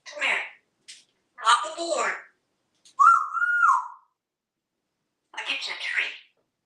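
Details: Talking pet parrot in a Texas home, hatched 1997, in a talkative mood: rough speech-like bursts alternate with one clear whistled tone that stays level and then slides down, with short gaps between sounds.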